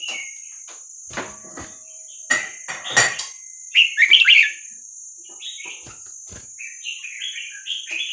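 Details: Red-whiskered Bulbul, Vietnamese type, singing for training young birds and arousing others: scattered clicks and rattles, a loud burst of liquid warbling mid-way, then a string of shorter slurred notes, with a steady high whine.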